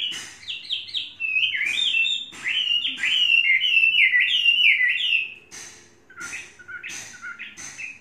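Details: A tame Chinese hwamei of three seasons gives a loud, rapid cascade of sweeping whistles, descending and rising in quick steps, then softer spaced phrases punctuated by sharp clicking sounds.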